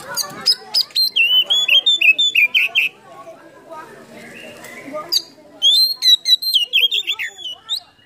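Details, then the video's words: Oriental magpie-robin (kacer) lure song packed with mimicked phrases, performed with tail spread in a fired-up display: loud rapid whistled and chattering notes, a softer broken passage midway, then a fresh burst of sharp whistles. "PANCINGAN KACER ISIAN FULL BUKA EKOR NGOBRA"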